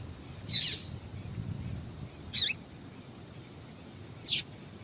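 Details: A female yellow-bellied seedeater calls to excite males: three high chirps, the first a soft blurred note, then two sharper peeps spaced about two seconds apart, with a faint constant hum.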